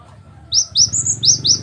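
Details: Cinereous tit, a master recording for training captive birds to sing, giving a series of five loud, high, slurred whistled notes in quick succession after a short quiet start.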